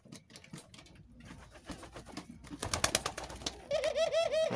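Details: Dove in an aviary enclosure: several seconds of rustling, flapping and clattering, then a quick run of wavering, rolling coos at the end.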